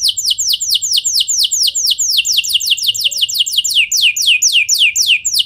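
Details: Canary singing to provoke answering song from other canaries: continuous rapid series of high, sharply falling whistled notes, about four per second, delivered in rolling overlapping trills.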